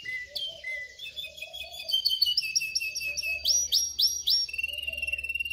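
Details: Canary singing to train other canaries: a flat whistle, then quickening trills building into fast rising chirps repeated several times per second, closing with a rapid even roll.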